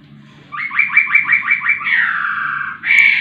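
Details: Lively laughingthrush song opening with about seven rapid, evenly spaced down-slurred notes, running into a drawn-out rasping note and ending with an abrupt bright note, with a soft low hum underneath.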